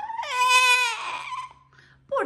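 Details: A pet Amazon parrot, crying because it is too cold to be taken outside, gives a wailing, sob-like cry that rises, holds and falls over about a second, then a short whimper and a rising squeal.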